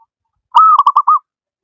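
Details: One phrase of a local wild zebra dove's song: a smooth, slightly rising cooing note followed by four short rolling notes, all in under a second, in silence.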